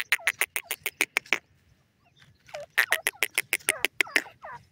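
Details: Grey partridge call: two bouts of quick, rasping repeated notes, steady and fast, separated by a short quiet gap, with twangy bent notes at the end of the second bout.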